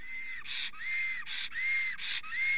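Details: Estonian black stork male at his nest at 10:48 am on 30 April 2020, extremely excited and trembling as he sings while a female is nearby: level whistled notes alternate with harsh, breathy bursts, repeating about every half second.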